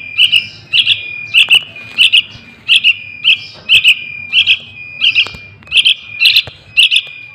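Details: Young sooty-headed bulbul call serving as a lure for wild bulbuls: rapid clipped chirps in twos and threes, nearly continuous, with faint clicks and a steady high tone in the background.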